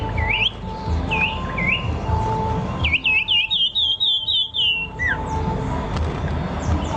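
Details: A bird whistles short rising notes, then a quick descending series of clear slurred whistles, over a steady low rumble of background noise.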